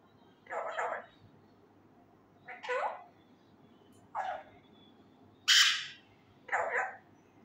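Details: Loud practice of learned Urdu words by a raw male Indian ringneck parakeet: five nasal, speech-like syllables at one- to two-second intervals, one of them a bright, sharper squeak.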